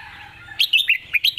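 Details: Red-whiskered bulbul master song for competition birds: after a low background hum, a brisk string of five bright, slurred whistles, each rising and falling quickly.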